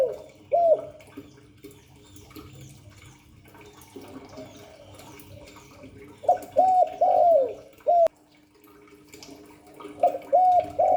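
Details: Spotted dove in the Hạp Bổi voice style, calling coos and gù coos used to stir a decoy bird to answer quickly; scattered soft hooting coo phrases at the start, middle and end, with quiet gaps and a steady low hum.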